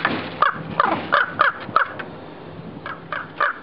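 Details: Nesting raven, angered by a person climbing onto the roof toward its nest, gives rapid rasping caws, about three per second in a tight volley, then a pause before three more spaced croaks.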